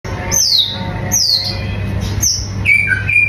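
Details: White-rumped shama singing: three loud, high whistled notes that slide downward, about one a second, then two shorter flat whistles; a steady low electrical hum runs underneath.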